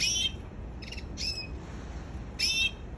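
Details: A canary gives three short high chirps: a loud bright burst at the start, softer double notes near one second, and another strong burst near the end, over faint low hum.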